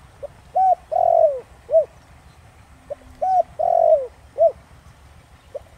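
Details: Spotted dove cooing in the Thổ Đồng voice style, played to lure wild doves. Two phrases, each a clipped note, a rising coo, a long falling drawn-out coo and a short final hoot, over a low steady rumble.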